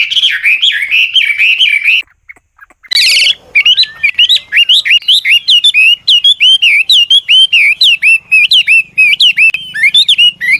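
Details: An old wild-origin Chinese hwamei decoy with changing, ornamented song to coax newly caught birds into singing: rapid looping whistles, a short pause and a harsh burst, then crisp, steady repeated upswept notes.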